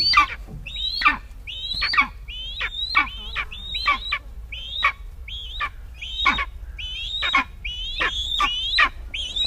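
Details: Eastern Imperial Eagle (Aquila heliaca), from a series on birds of Palestine, giving harsh, barking calls with a falling tone, repeated about once a second over a low background rumble.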